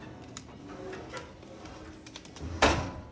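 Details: Quiet room with scattered clicks and one louder thump near the end, without any animal vocalization.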